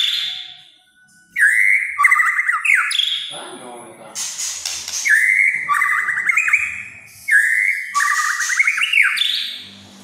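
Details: Actively singing white-rumped shama in kretekan style, said to rile other shamas: a series of loud, repeated whistled phrases, each a steady note breaking into quick rattling trills, separated by short pauses with faint voices.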